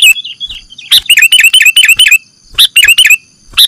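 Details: Lure audio of a sooty-headed bulbul used to catch birds: a quick string of clear whistled notes with a gentle downward bend, then a rapid chattering series, a pause, and a shorter repeat.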